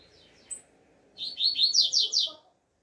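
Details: Double-collared seedeater in the open air, singing the 'alegria tuí tuí zeo zeo' tutor song style: a single faint chip, then a rapid string of five or six high, downslurred whistles. Soft low background rumble.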